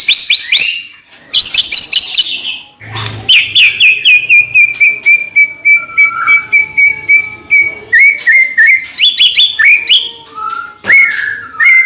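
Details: White-rumped shama song intended to make other shamas sing: rapid high trills give way to a long steady whistle, followed by varied short whistles and chips.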